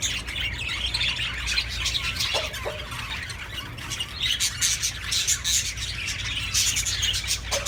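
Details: Budgerigars giving mating calls meant to stimulate breeding: dense, continuous warbling chatter with scratchy squawks and short chirps layered over each other, plus two brief lower notes midway and a steady low hum beneath.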